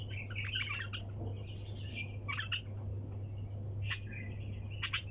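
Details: Bulbul in 'sayyad' (hunter) style 'tak janah' wing-flick calling, delivered without pause: scattered sharp chirps and short scratchy warbles spread across the clip, some clicky bursts, all above a continuous low mechanical hum.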